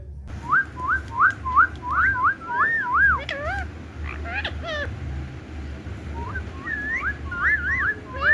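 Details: Indian ringneck parakeet kept as a pet, calling "Mithu" while playing indoors: a quick series of clear, rising whistled notes, several bursts of looping two-part whistles repeated about three per second, over a low steady room hum.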